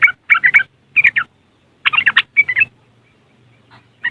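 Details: Riwikan chatter of a yellow-vented bulbul from West Java, Indonesia, phone-recorded: quick grouped bursts of scratchy, bubbling notes, then a pause and one last short burst over a low steady hum.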